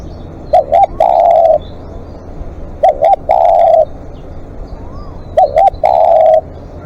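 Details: Spotted dove on live decoy duty, long calling: three repeated coo phrases, a brief doubled note leading into a prolonged steady coo, about every two and a half seconds, with crisp clicking sounds.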